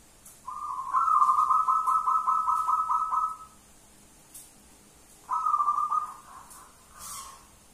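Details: Wild local zebra dove calling loudly: a long, fast, evenly pulsed trilled coo lasting about three seconds, then a shorter trill a couple of seconds later, with light clicks and faint hiss behind.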